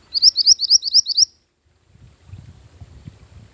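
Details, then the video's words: {'caption': 'Mantenan gunung bird song used as a lure and master song for training: a quick run of about eight high, sharp upslurred chirps in just over a second, then quiet rustling and faint low thuds.'} "Mantenan Gunung Pikat Gacor"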